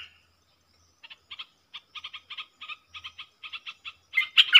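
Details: Southern bulbul, a wild bird countering a caged decoy: after a short pause, rhythmic clusters of quick chirps build to a sudden loud, rich warble at the end.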